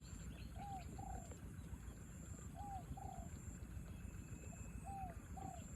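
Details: Spotted dove facing off against a wild bird during rainfall; soft paired coo notes, each pair a short falling note then a longer one, repeated about every two seconds under steady heavy rain noise.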